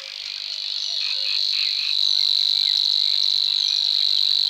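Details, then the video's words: A Savi's warbler in the Czech Republic reels a fast, unbroken buzzing trill, high, insect-like and growing steadily louder, with brief chirps from another bird early on. "Savi's warbler (Locustella luscinioides)"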